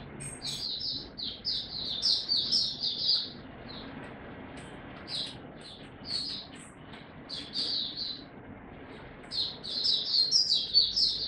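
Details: Caged Oriental white-eye in song display, recorded 26 November 2022. Bursts of high, twittering notes come in short clusters separated by pauses, over a constant low background hum.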